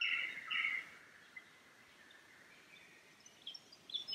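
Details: Lyrebird singing in the Cathedral Ranges on a Sunday morning near streams; the song follows the traditional 'Song A' cadence. A loud, bright burst of warbled notes opens the clip, then fades into softer calls over steady water rush.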